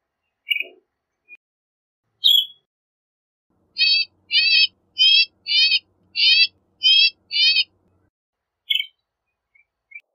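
A northern shrike gives a run of seven harsh, buzzy, wavering notes about half a second apart, framed by a few sharp scattered chirps against a quiet background.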